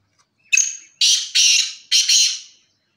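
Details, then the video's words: Black francolin giving its harsh, grating call: a thin rising note followed by three loud rasping bursts, each about half a second long. "Sidhi titar Ki awaz l black teetar Ki awaz l"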